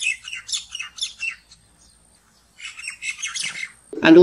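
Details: A great or common myna in the morning in Thailand gives two bursts of harsh, squawky, chattering notes, high and varied, with a short pause between; a louder, lower sound cuts in at the very end.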